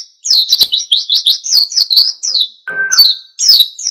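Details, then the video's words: Full wild-style song of an oriental white-eye, intended to make other birds sing: rapid high downslurred twitters, broken briefly by a lower steady tone, then the twittering resumes. "SUARA PLECI GACOR NGALAS PANCING EMOSI BURUNG LAIN IKUT GACOR"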